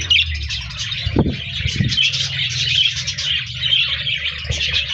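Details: Budgerigars chirping on 14 January 2024: dense, high, warbling chatter of many birds throughout, with a couple of sharp clattering knocks early on and a low background hum.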